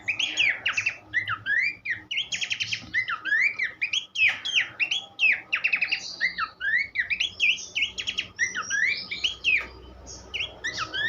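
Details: Song of Horsfield's babbler, offered as a tutor recording for teaching songbirds: a dense, continuous stream of varied whistled phrases with quick upslurs, downslurs and buzzy chattering notes over eleven seconds.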